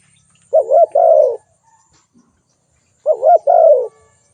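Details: Spotted dove calling with a gentle low coo phrase, two brief notes then a longer falling note, repeated once after about two and a half seconds in a quiet setting.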